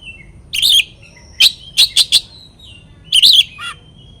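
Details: Oriental magpie-robin song used to provoke rival birds into aggression: scattered sharp high chirps and short whistled notes in brief bursts separated by pauses, over a quiet low background hum.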